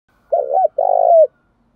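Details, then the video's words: Loud-voiced spotted dove cooing in the 'giọng thổ' style: a brief wavering note, a tiny gap, then one drawn-out vibrating coo that slides downward at its close. There is no background noise. "cu gáy giọng thổ Thúc + Gáy Gọi + hạp bổi + giọng to"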